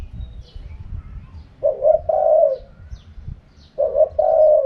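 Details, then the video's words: Spotted dove in wild-style 'karam pa' voice: two deep hooting phrases, a brief note leading into a drawn-out steady coo, over faint low rumbling. "เสียงนกเขาใหญ่ คารมป่า 100"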